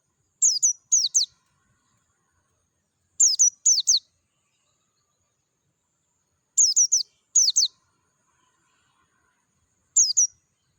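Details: Wild Oriental white-eye, Dakun type, in natural surroundings: repeated phrases of two to four sharp, thin, high downslurred chirps at irregular intervals of about three seconds, with quiet between.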